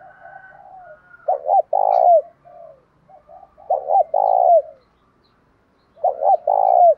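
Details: Spotted dove calling to provoke a fight, male and female voices: soft low cooing, then three strong phrases of two quick hooked notes and a long burring coo that falls at the end, about two seconds apart.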